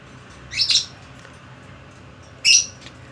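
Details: Two loud, shrill chirps from a pet budgerigar, separated by about two seconds of near silence in a small room.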